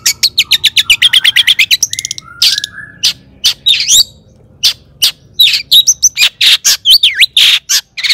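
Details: Long-tailed shrike "toet toet" song meant to stir other shrikes into singing: a fast even run of chips, brief whistled slurs, then loud harsh notes mixed with twisting, warbled phrases.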